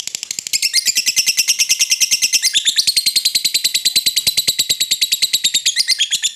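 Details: Lovebird giving a long chattering call aimed at an opponent: a rapid, unbroken string of shrill, high chirps, about three per second, held steadily for over six seconds in a small indoor space.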